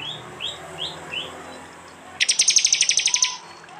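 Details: Prenjak-type prinia from an East Java phone recording mix: four soft rising whistled notes, then a fast burst of about twelve sharp high ticks.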